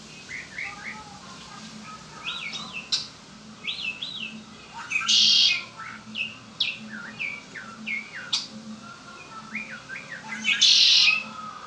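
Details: Pet Red-winged blackbird repeating its song: clusters of rising, bouncy whistled notes each leading into a strong raspy trill, two such trills about five seconds apart, with faint hum beneath.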